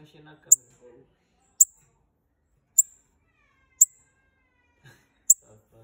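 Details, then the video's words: A pair of bananaquits gives sharp, very high, thin calls, about one each second and five in all. A man's voice murmurs faintly at the start. "Casal de Sibites chamando"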